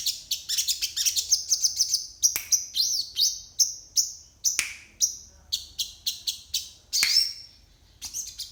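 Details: Crested jay in the morning delivering isian song: bursts of rapid high chirps, looping whistled phrases and a few sharp downward-swept notes, ending with a buzzy note and scattered high chips.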